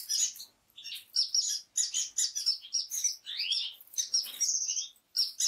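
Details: Orange-cheeked waxbill (Estrilda melpoda) calling in loud, high, slightly buzzy chirps and short flat whistles, rapid bursts with brief pauses between them.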